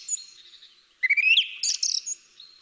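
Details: Song thrush song phrase from a common British bird, the species said to sing loudest in the morning: a high rising whistle, then a scratchy, buzzy burst of varied high notes and a thin trailing note, with no background sounds.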